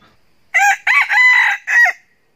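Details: Crowing of a decoy Red junglefowl rooster, kept to provoke wild roosters. Four loud, hoarse syllables run over about one and a half seconds, with a short first note, a long drawn middle and a brief clipped ending in silence.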